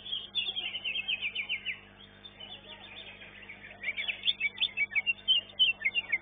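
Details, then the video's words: Greater green leafbird singing at a bird-singing competition arena, fast varied chattering phrases and sliding whistles in bursts, with quieter mixed bird song between them. "CUCAK IJO"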